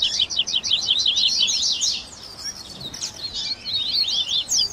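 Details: Double-collared seedeater songs mixed as a baderna for warming up and training caged birds, tui tui style with grego, viviti and flauteado variants. Quick high chattering runs, a brief lull mid-way, then renewed jerky trills.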